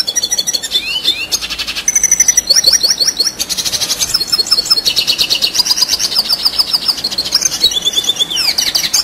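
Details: Loud, unbroken red siskin song of long duration, used for teaching competition birds: rapid high twittering, buzzy trills and downward-slurred whistles tumbling together in a steady, fast rhythm.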